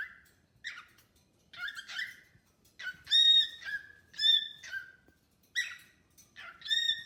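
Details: Pet cockatiel chattering and singing beside a newly arrived bird: scratchy, buzzy chatter notes giving way to loud harmonic whistles with steady pitch, bursts roughly every second.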